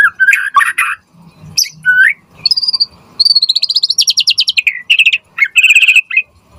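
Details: Spirited white-rumped shama song meant to provoke other shamas into replying: mixed harsh chatters and whistles, then a long, even, rapidly repeated high buzzy trill, ending in quick whistled notes.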